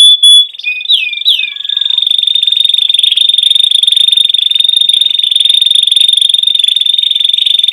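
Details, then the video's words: Canary opening with a few sharp whistled slides, then holding a long, even, very rapid high trill for several seconds without a break. "chant canari magnifique"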